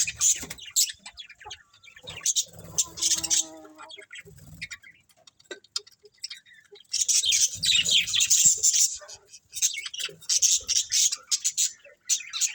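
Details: Budgerigar colony chattering: dense, rapid high-pitched chirps and scratchy warbles, some soft low thumps early on, then a loud sustained burst of overlapping chirping in the second half.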